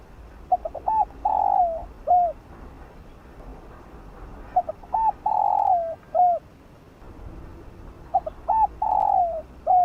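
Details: Spotted dove singing the field-voice style to rouse and train decoy birds. Three identical phrases roughly every four seconds, each of clipped low notes, a slurred coo, a long droning falling coo and a hooked closing note, over low hiss.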